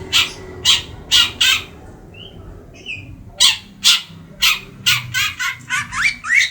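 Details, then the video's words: Caged three-month-old long-tailed shrike of the Madura type, kept as a pet, singing actively: harsh, scratchy bursts repeated roughly every half second, with a brief pause holding two faint whistled notes, over low background hum. "Burung Cendet gacor,Pentet madura siRawing umur 3bln"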